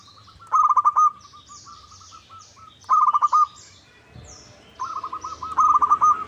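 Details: Local zebra dove calls used to make another bird respond: two quick staccato coo bursts followed by softer echoing notes, then a longer rolling phrase, with steady high twittering of small birds behind.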